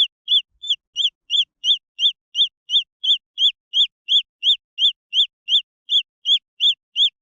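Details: Green junglefowl chicks peeping repeatedly: bright high notes with a rising-falling shape, starting slightly uneven then settling into a steady rhythm near three per second.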